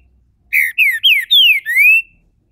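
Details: Captive Green-winged saltator giving its main song: a quick run of five loud, clear whistled notes, alternately rising and falling, over about a second and a half in a quiet room.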